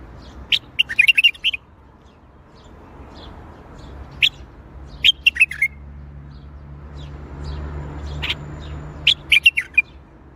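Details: A bulbul sings in the Baghdadi style (tor Baghdadi): short, rich warbled phrases of clipped whistles, repeated several times over ten seconds with quiet gaps and a faint low hum behind.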